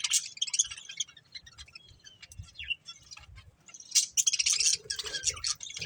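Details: High, scratchy chirps and warbling chatter from a breeding pair of budgerigars, sparse in the middle and dense again toward the end.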